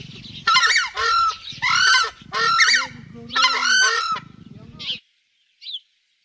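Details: Loud, nasal honking from a screamer, four or five strong blasts repeated roughly every second, some with a lower hooting undertone, followed by a couple of short high chirps and silence.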